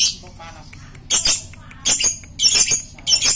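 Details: Lovebird kept as a fighter bird and used as a lure to provoke other lovebirds into chattering, giving harsh, buzzy bursts of high chatter about every half to one second, with quiet gaps between.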